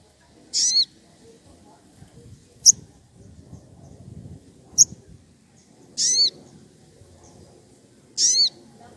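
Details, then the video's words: Wild rufous piculet, agitated and calling out an opponent: five very high notes at irregular intervals, some brief ticks, others longer squeals with layered tones, over a soft low background hum. "Sogon emosi cari lawan"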